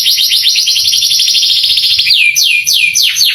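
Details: Canary singing a masteran tutor song meant to provoke young birds: a rapid rolling trill followed by four slower, downward-sweeping whistled notes.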